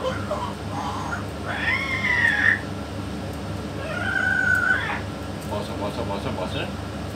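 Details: Talking yellow-naped amazon beside a parrot expert: two separate drawn-out harmonic utterances, the first rising then level, the second flat and nasal, spaced by a few seconds of low hum and faint room noise.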